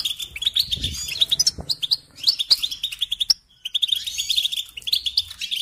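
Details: European goldfinch singing, offered as a lesson for training young songbirds: quick tinkling twitters and sharp tweets in dense bursts, a brief gap near the middle, then renewed chattering; a soft low thump early on.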